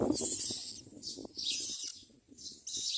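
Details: Common myna (Acridotheres tristis), begging call: chicks begging for food from parents.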